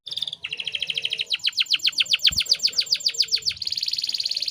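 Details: Canary, a breeding-condition female whose voice is meant to draw males into song: quick metallic trill of sharply repeated notes about five per second, followed by a tighter, higher buzzy roll.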